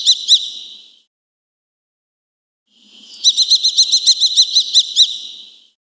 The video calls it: 紅隼/Eurasian Kestrel(Falco tinnunculus)call